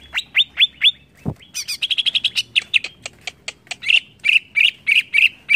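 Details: A greater green leafbird sings loudly to provoke other birds: quick descending chirps, then a dense chattering stretch of clipped notes, ending in evenly spaced, strong whistled notes repeated about every quarter second.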